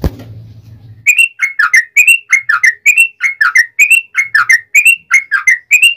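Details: Yellow-vented bulbul's long, aggressive fighting song, meant as a lure for replies: after a brief low rumble, a rhythmic run of bright, bubbling paired notes follows, evenly repeated for five seconds.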